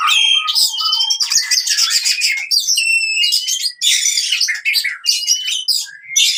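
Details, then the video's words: Oriental magpie-robin in fighting song, played to train birds that have gone silent. Bright whistled notes and clear ringing tones alternate with bursts of rasping chatter in quick, varied phrases. "KACER TARUNG COCOK UNTUK KACER MACET BUNYI"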